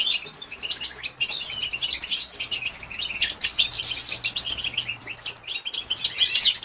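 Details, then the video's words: Female European goldfinch in batbata calling, meant to arouse males: an unbroken high twittering chatter of clipped chirps and buzzy notes, rising and falling in loudness. "بتبته لتهيج ذكور الحسون"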